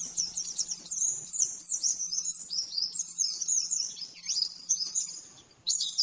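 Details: Oriental white-eye 'nembak-nembak' master song for training caged birds: an intense, high, rapid twitter with quick slurred notes and one falling swoop near the end, over a faint hum.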